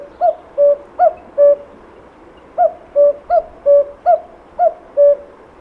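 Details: Common cuckoo (Cuculus canorus) in Portugal, whose song heralds spring, giving its classic two-note cuck-oo, a higher note dropping to a lower one, repeated about every second against a quiet background.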